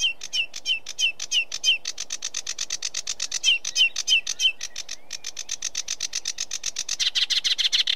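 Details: Sedge warbler singing, opening with repeated clipped whistled notes that give way to long, fast, dry rattling trills that speed up and grow harsher toward the end.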